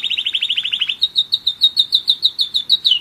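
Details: Singing German Roller-split canary aged one year: quick descending trilled notes, then a string of evenly spaced clear whistled notes about five per second.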